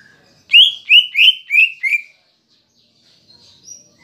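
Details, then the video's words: Caged greater green leafbird singing kapas tembak filler phrases, used to provoke emotion in other birds: five loud, slurred whistled notes descending slightly, about three per second, then a pause and faint high notes. "Pancingan Cucak Ijo (Isian Kapas Tembak) Agar Emosi Jamtrok"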